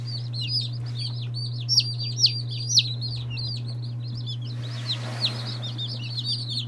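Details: Day-old chicks of mixed breeds, including Marans, Silkies and Seramas, chatter in rapid high peeps with a few louder taps and a brief rush of noise, all over a steady low hum.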